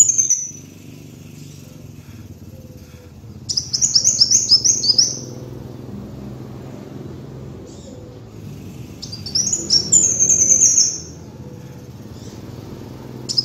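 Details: A kolibri wulung sunbird's song, recorded to lure birds: scattered bursts of very high, rapid, stuttering chips separated by long quiet stretches, with a steady low hum throughout.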